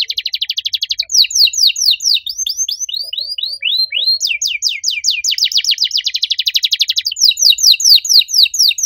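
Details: Loud, vigorous canary song with unusual phrasing: strings of sharp downslurred whistles at changing speeds, a slower series of rising-falling notes, then a dense rapid rattle and more quick sweeps.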